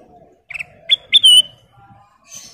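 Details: Single phrase from a female kutilang emas, the sooty-headed bulbul: a quick doubled chirp, then two upswept whistles sliding into a clear fluting note, with faint low background murmur.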